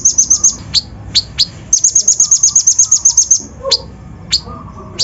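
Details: Brown-throated sunbird song meant to provoke and excite other birds; a high rapid trill, then sharp downslurred single chips spaced about half a second apart, followed by another fast trill and more scattered chips.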